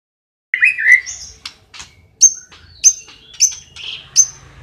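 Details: Cililin song used as training material for white-rumped shamas, described as loud, tight rolling and ringing: a buzzy descending opening phrase, then a series of sharp high whistled notes about every half second.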